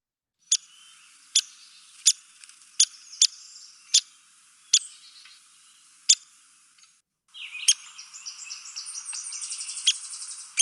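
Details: Downy Woodpecker, the most common and smallest woodpecker in Ohio: sharp single high pik notes spaced irregularly, roughly every half second to second, then a rapid descending whinny of high-pitched notes running for several seconds.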